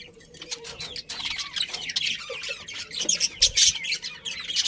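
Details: Colony of happy budgerigars chirping together: dense overlapping high chatter, quick squeaky notes and short warbles tumbling over one another without pause, with a faint low hum underneath.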